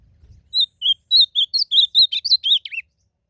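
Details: Blue-black grosbeak singing in the wild during a song contest: a phrase of about a dozen clear whistled notes, starting steady and high, then turning faster and more slurred, ending with a falling buzzy note.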